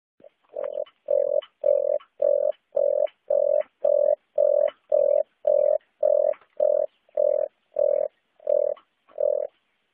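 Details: Red turtle dove calling: a steady series of short, low, hollow coos, evenly repeated about twice per second throughout, with no other sounds.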